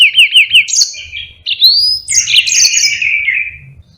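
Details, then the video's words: Lively Yellow-fronted canary song meant for tutoring other songbirds. It opens with quick repeated descending trill notes, then moves into a sweeping rising whistle, and ends on a jumble of bright, buzzy warbled notes. "Burung Mozambique GACOR NGEROL PANJANG"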